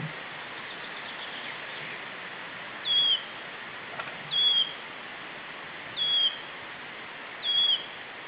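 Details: Wood warbler calling monotonously at 9:07am on 4 June 2012: a short, high, slightly falling whistled note, repeated four times about every one and a half seconds over a steady background hiss.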